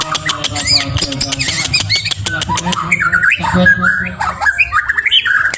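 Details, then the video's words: White-rumped shama (murai batu) in a lure recording used to provoke a rival: a rapid, varied, loud and busy song of rich whistled phrases broken by harsh squawks and sharp clicking notes. "pancingan MB cari lawan"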